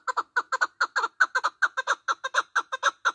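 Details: Partridge call for hunting lures: a loud, steady series of harsh, paired chuck notes, about five to six per second, with no break across the whole stretch.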